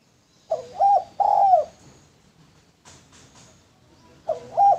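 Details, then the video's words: Male spotted dove for luring gives a low coo phrase, then faint tapping, then the start of another coo phrase. "Derkuku Tekukur Jantan Cocok Buat Pancingan"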